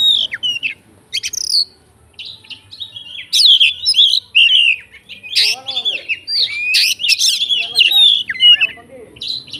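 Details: Fighter Oriental magpie-robin singing to set off rival magpie-robins: a few whistles, a pause, then a long loud run of varied warbles, chattering buzzes and looping slurred notes.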